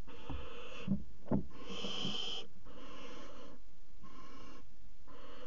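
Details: Barn owl pair mating on the nest box edge, Axel water tower, 5 February 2018: four snoring, airy hisses in quick succession, separated by short silences and a couple of soft knocks.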